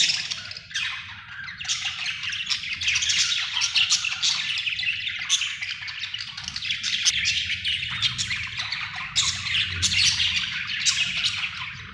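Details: Happy budgerigar chirping continuously: dense, scratchy warbling twitters and chatter with quick squeaky notes, steady throughout, a low hum beneath.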